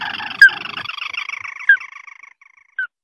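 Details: White-browed crake, known locally as tikusan mata merah or ayam-ayaman sawah, call played to lure birds for trapping: a rapid, harsh chattering series that slowly falls and fades, cut by three sharp clicks.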